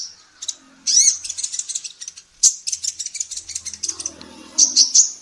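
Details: Female sunbird, called kolibri ninja locally, in lively song recorded for training songbirds: dense, high scratchy chirps and fast twittering runs with brief pauses, and faint low background sounds.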